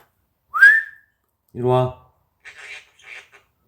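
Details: A pet conure that talks gives a bright rising whistle, then a few raspy, speech-like syllables, while a man's deep voice speaks briefly between them.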